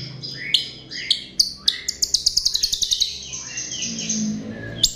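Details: A chestnut-tailed starling sings as a lure, with rising chirps, then a quick rattle of about a dozen clicks and a fading buzzy high note.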